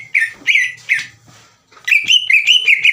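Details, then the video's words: Green leafbird singing to provoke rivals: a few loud, slurred whistles, a short pause, then a rapid warbling run of higher whistled notes. "MASTERAN DAN PANCINGAN CUCAK IJO LAMBAT PANAS UNTUK MEMICU EMOSI LAWAN AGAR GACOR"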